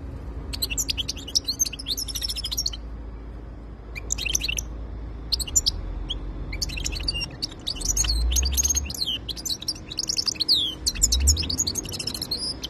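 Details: European goldfinch in full song: long runs of dense, bright twittering and buzzy trills broken by short pauses, with a faint low rumble beneath.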